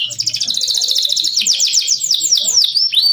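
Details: Canary used as a tutor song (masteran) for training: a fast buzzy trill of rapid notes gives way to a run of downward-slurred whistles, ending in bright rising-and-falling phrases, loud and close.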